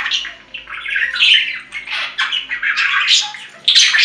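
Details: Caged budgerigar sounds offered to lonely pet birds: continuous rasping warble mixed with sharp chirps and scratchy squawks, rising into a louder burst near the end.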